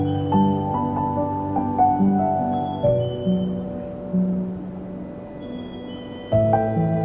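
Soft ambient music of sustained tones and gentle plucked notes, with no animal sound heard.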